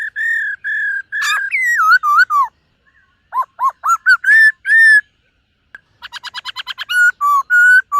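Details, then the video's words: Morning voice-training song of a silver-eared laughingthrush: sustained clear whistles and wavering slurred notes, a pause, a set of short rising-falling whistles, then a quick buzzy trill before steady whistles return. "Khướu BẠC MÁ hót MÚA luyện giọng . Khướu hót sáng luyện giọng kích bổi"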